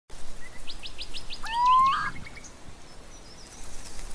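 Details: Little owl giving a single rising, whistled mewing note that ends in a short harsh burst. Faint ticking chirps from small birds sound higher above it against a quiet rural background.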